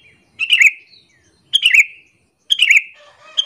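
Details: Sooty-headed bulbul call used to lure other bulbuls and make them angry: three sharp chirps, each a brief broadband burst sliding into a bright descending note, spaced about a second apart.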